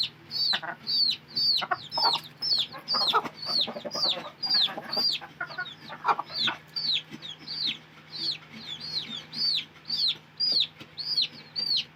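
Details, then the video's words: Chickens: high, thin, downward-slurred peeps repeated about twice per second throughout, with occasional lower clucking sounds and a steady low hum behind. "hen video || chickens || murga videos"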